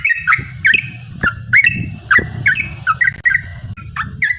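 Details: Yellow-vented bulbul in lively, long rolling song, used as a lure to make other bulbuls answer: bubbly, slurred whistled notes in quick uneven runs, with a steady low rumble underneath.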